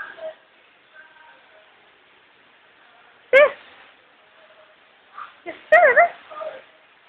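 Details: Indoors, an Amazon parrot imitates speech, saying hello: two abrupt, loud harmonic bursts with zigzagging pitch, a few seconds apart, among faint low murmurs of a person's voice.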